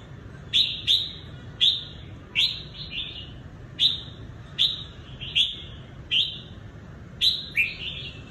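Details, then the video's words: Trapped decoy red-whiskered bulbul from Cao Bằng, Vietnam, kept for trapping, singing short bright phrases: sharp high notes followed by warbled slurred whistles, repeated roughly every second with brief pauses, over low steady background hum. "CHÀO MÀO BẪY ĐẤU VIP CAO BẰNG"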